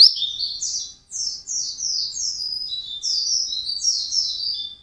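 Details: White-eye singing intensely and fast: a continuous stream of high, thin, sweeping whistled notes, rising and falling, run together with only a brief pause near one second.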